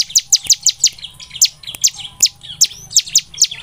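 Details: Song of a bar-winged prinia (ciblek semi) played to spur other birds into singing: a steady sequence of piercing, downward-sweeping chips, about three per second, loud against a quiet background.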